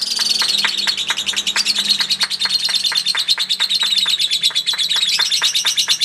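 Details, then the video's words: Contest lovebird delivering its long chatter: quick, shrill, rattling notes pouring out about three a second without a break. "Kicauan Pertarungan Love Bird Ngekek Panjang"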